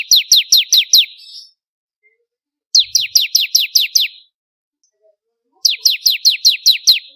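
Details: Bar-winged prinia song used for training songbirds: three bursts of five to seven sharp, descending high notes, each burst about a second long, separated by pauses of over a second.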